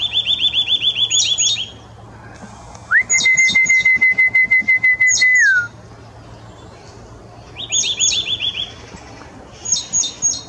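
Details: Nuthatch calling: a quick run of about ten piping notes, then a long, level whistle lasting over two seconds that drops at the end, followed by further rapid piping runs and sharp, very high squeaky notes.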